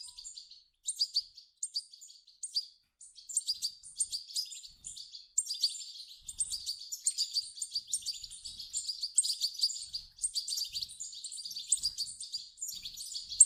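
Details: European goldfinch chicks begging, calls played to stimulate an adult goldfinch to sing: dense, high, thin chirps and twitters in continuous overlapping bursts throughout, with short pauses, and no other clear sounds.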